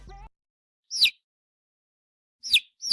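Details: Newly hatched chicks giving three shrill, steeply descending peeps after a brief opening snatch of voice, with silence between calls.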